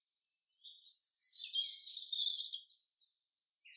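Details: Forest chaffinch song: a rapid, tumbling burst that starts very high and slides lower over nearly two seconds, with a few isolated short chips before and after.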